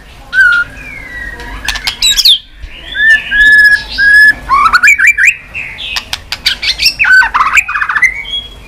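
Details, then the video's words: Tail-flicking White-rumped shama, stimulated to sing: rich, varied melody of clear whistles, slurred upward sweeps and quick chattering notes interspersed with dry clicks, delivered in bursts throughout. "chòe lửa tạch đập đuôi sàn cầu dùng kích lửa cho chòe lửa lên lửa cực nhanh hót.Chòe Lửa đánh đuôi"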